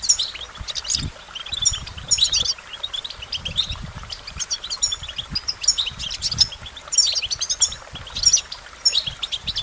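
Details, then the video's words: Goldfinch singing: rapid, twittering high notes and tinkling trills in continuous bursts, with soft low thumps underneath. "Goldfinch Motivation Performance"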